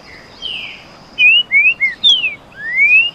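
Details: Two male green-winged saltators of the canto boi song style sing against each other in a contest; clear slurred whistles, several short rising and falling notes, ending in a long rising whistle.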